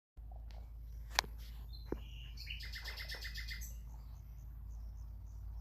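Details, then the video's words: Common nightingale giving a short phrase: a few sharp clicks, then a quick burst of bright, stacked whistled notes, over a steady low hum. "the most peaceful nightingale sound in the world"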